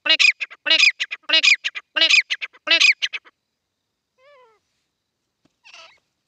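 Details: Grey francolins playing and fighting: loud, harsh, repeated call phrases in rapid clusters for about three seconds, then silence with a faint arched note and a short scratchy burst.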